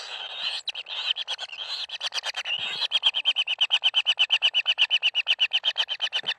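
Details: Common kingfisher chicks calling as they are fed at the nest: a rapid, steady train of short, high, scratchy notes, roughly three per second, quickening and growing louder toward the end, with faint background hiss.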